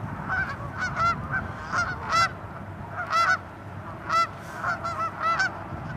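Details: Tundra swans calling at Ninth Line, Mississauga, Ontario, Canada, March 16, 2013, with geese and ducks nearby: separate loud honks stand out against a busy flock, about one a second, over low rumbling background noise.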